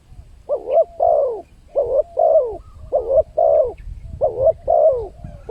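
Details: Spotted dove calling as a lure for wild birds, steady repeated coo couplets with a rolling, down-slurred second note, faint low background hum.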